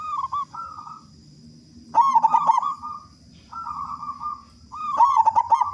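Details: Local zebra dove with a big voice, a lure for others to sing soon: short wavering coos, then two strong, stuttered pulsing phrases, each trailing into a smooth held coo.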